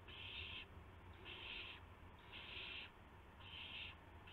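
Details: Owls at the nest after midnight, March 19, 2016, during deliveries of mice and a gopher to owlets; four drawn-out raspy hisses at regular intervals of about a second, over low-pitched hum.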